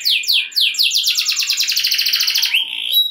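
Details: Canary song meant to stir other canaries to sing, a dense high trill of quick repeated notes, opening with a few sweeping descending notes and ending in a short rising whistle.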